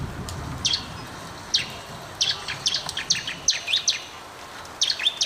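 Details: Bar-winged prinia song used to prompt idle or silent birds to sing; short bursts of high, sharp, downslurred notes repeated at irregular intervals over a faint hiss of outdoor background noise.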